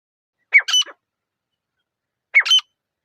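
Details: Grey francolin (teetar), a pair, in calm forest surroundings: two identical shrill, squeaky two-part phrases about two seconds apart, each a sharp rising note followed by a ringing buzzy one.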